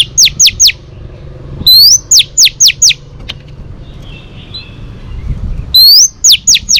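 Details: A female oriental magpie-robin whistles to stimulate males, giving clear, high notes in quick sets of three or four, each a sharp upward-then-falling sweep, with a faint low hum beneath.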